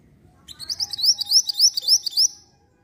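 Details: Black-winged flycatcher-shrike (mantenan) lure song, used to provoke a reply: a quick series of about eight high, rising, whistled notes. The notes are evenly spaced and each sweeps upward sharply, over a faint low rumble.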